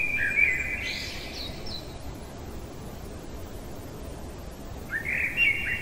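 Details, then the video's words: Night-singing common blackbird: a mellow whistled phrase ending in a higher scratchy flourish, then a long pause of low hum before the next fluted phrase starts. "Merle chantant au cœur de la nuit"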